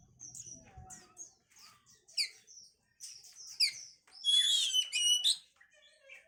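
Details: Oriental magpie-robin (kacer) song for stimulating breeding condition: scattered soft chips and short whistles building to a loud burst of rich whistled and buzzy notes.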